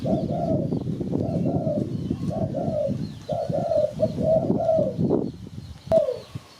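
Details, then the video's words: Spotted dove, Malay type, a recording used to lure birds; soft, mellow coos in quick rounded phrases, repeated steadily for several seconds over a low background rumble. "Sound Spotted Dove"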